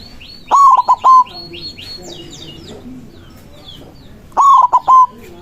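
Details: Lure recording of a white zebra dove calling rivals in manggung style: two phrases of rapid, soft, rolling coos about four seconds apart, over steady high chirping from small birds.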